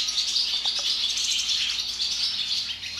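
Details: Barn swallows swarming into an equipment barn when a barn door is opened, chattering and twittering together in a dense, continuous wash of high, rapid chirps from many birds at once.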